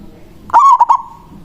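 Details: Local zebra dove calling a rival in manggung style: one short, loud phrase of a clipped coo and two quick follow-up notes, fading into a thin steady tone.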